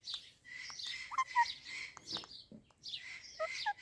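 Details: Baby parrot chirping: soft, scattered high chirps and short tweets with brief pauses, over a faint background hiss.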